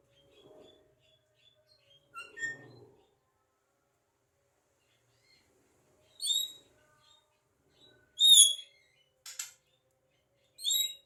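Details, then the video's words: Talkative Javan myna that mimics speech and coughing. It gives a low rasping cough-like burst early on, then scattered sharp, high, squeaky chirps and a short buzzy rasp. Quiet pauses separate the sounds. "JALAK KEBO CEREWET BISA NGOMONG & BATUK"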